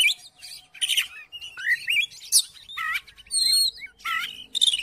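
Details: Kacer, the Oriental magpie-robin, singing to goad a silent rival into song; loud mixed whistles, harsh buzzes and clear slurred notes, including a high sustained whistle, delivered in quick uneven bursts.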